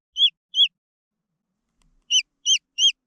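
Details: Green junglefowl chicks peep twice, fall silent for over a second, then give three more high, down-slurred piping notes at the same quick pace.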